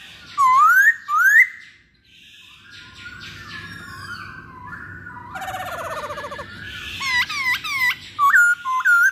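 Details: Masked laughingthrush lure song for prompting other birds: two rising whistles, a stretch of rattling harsh notes, then a series of sharp looping whistled yelps.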